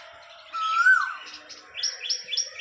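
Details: An Asian koel in a small herbal botanical garden gives one clear, rising whistled note, followed by a quick run of four higher, thinner chirps from another small bird.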